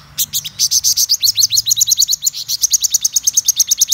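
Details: Black-throated sunbird, described as a top-class bird, delivering a continuous, fast, high-pitched trill of sharp repeated notes, about seven per second, throughout.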